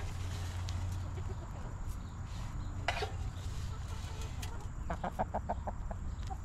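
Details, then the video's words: Backyard hens in a homestead coop; quiet scattered sounds, then a quick run of about six short repeated clucks near the end, over a constant low hum. "Rooster Crowing! Hens Clucking!"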